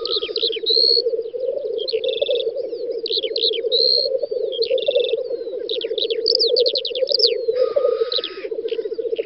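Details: Several black grouse lek on a spring field in Western Russia, Volga region, in May 2019, producing a continuous low, rolling bubbling chorus, while other birds add bright whistles and trills above.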